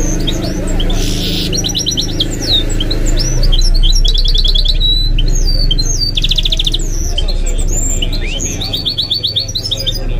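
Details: Goldfinch × canary mule, a kept bird whose song is said to include nightingale and other birds' phrases, pouring out varied twitters, fast buzzy trills and looping whistles almost continuously, with low background chatter.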